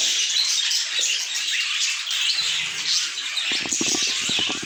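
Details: Budgerigar flock in steady high twittering and squeaky warbling, with a burst of louder clicking, buzzy chatter near the end.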